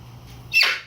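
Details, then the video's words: Dancing macaw in a small room letting out one short, harsh, rasping squawk, bright and high, rising sharply and fading within half a second. "Macaw dancing and making sounds"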